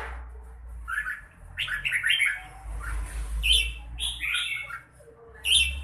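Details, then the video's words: Red-whiskered bulbul, mãng nhãn singing style, with a few clear warbled phrases rising and dipping, spaced out over a steady low humming background. "Chào mào bộ đẹp lối chơi mãng nhãn"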